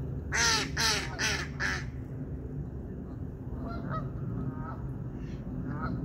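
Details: Geese at a park: four loud, nasal honks in quick succession within the first two seconds, then fainter honks further off, over steady low rumbling background noise.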